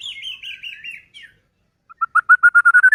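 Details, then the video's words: Singing white-rumped shama, used to agitate other shamas into song. It opens with a wavering, descending warbled trill, then a pause, then about ten loud, evenly spaced whistled notes that slowly rise in pitch. "Murai batu gacor AMPUH buat PANCINGAN murai batu agar bunyi JADIKAN burung murai EMOSI"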